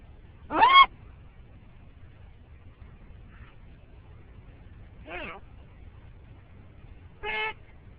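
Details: Pet green-winged macaw riding in a car in the morning, giving three separate short harsh calls spaced several seconds apart, one rising squawk followed by two shorter raspy notes, over quiet engine rumble.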